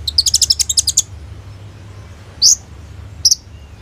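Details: Sunbird singing prolifically, used to lure and train young sunbirds: a rapid one-second burst of high, stuttering chips, followed by two isolated sharp, piercing notes.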